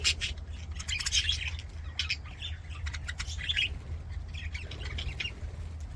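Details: Budgerigars singing and playing in an aviary: a busy chatter of scratchy warbles, chirps and short squawks from several birds, with a steady low hum underneath.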